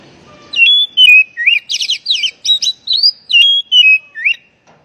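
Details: Oriental magpie-robin phrase played to rouse stressed, silent birds into singing: clear sliding whistles, then a rapid run of buzzy, rising chirps, then more falling whistles with a final upward flick.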